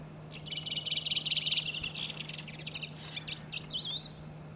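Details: Redwing singing in Iceland in April: a fast run of rattling high trilled notes, then varied squeaky whistles and twisting warbled phrases, rising and falling, with a low steady hum underneath.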